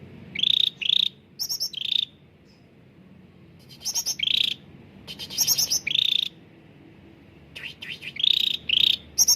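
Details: Cucak ranting bulbul in full lively song, recorded as a clear-voiced lure for caged birds that rarely sing. Groups of quick buzzy trills with sharp high chips, in bursts separated by short pauses.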